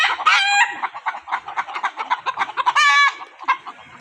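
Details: Roosters and hens heard together: rapid, uneven clucking notes fill most of the stretch, broken by two short, harsh crows.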